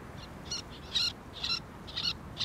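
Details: Little tern of subspecies albifrons calling at Thessaloniki, Greece, in April 2024: short, harsh, rasping notes, several loud and some faint, given in irregular bursts about every half second over faint background noise.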